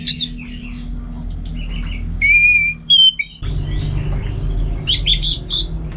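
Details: Caged orange-headed thrush in Singaraja, North Bali: scratchy warbled phrases, a few clear pure drawn-out whistles, a brief pause, then renewed twittering and a burst of sharp high notes over a low hum.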